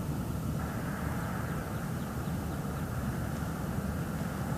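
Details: Steady low rumble of an engine or aircraft outdoors, with no animal sound heard.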